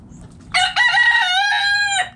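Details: Loud, clear rooster crow from a backyard coop where the chickens are eating: a brief opening note, then a long, strained, harmonic cry that holds steady before cutting off, with near-silence around it.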